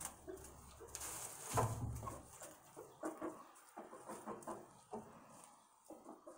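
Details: Chickens at the roost area giving short, low clucks repeated irregularly, with a louder rough burst early on and soft background rustle.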